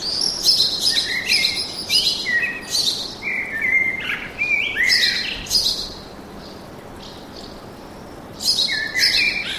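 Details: Birds singing in a forest: several short, bright, high phrases of trills and quick descending notes in irregular bursts, with a steady background hiss throughout.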